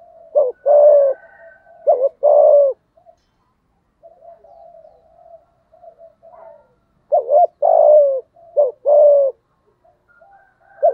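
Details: Low cooing of a spotted dove in the 'giọng thổ' voice, used to lure and provoke a rival male: two pairs of two-part coo phrases separated by a long pause with soft murmured notes.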